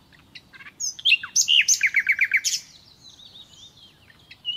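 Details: Nightingale song recorded naturally: a few whistled notes, then a quick run of about ten loud, sharp repeated notes, fading into soft, thin warbling.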